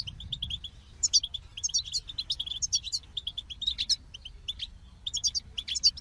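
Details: Lively goldfinch twittering: clusters of fast, thin tinkling notes with sharp whistled accents, delivered in short bursts over a quiet background.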